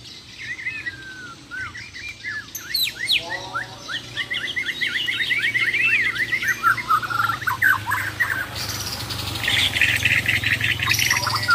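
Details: Champion Bornean White-rumped shamas facing rivals in a contest test pour out varied song with besetan and tembakan fills: quick rising and falling whistles, dense chattering runs and a harsh high burst near the end.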